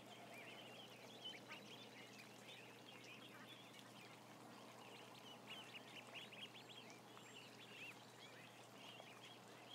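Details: Roughly a thousand ducklings together on camera give a steady wash of high, short, bent peeps with no pauses, set against continuous low hum.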